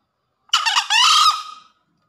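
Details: Single crow of a green junglefowl recorded after a downpour: a raspy two-part call, a short choppy start and then a sustained hoarse note of about half a second that trails off, with silence around it.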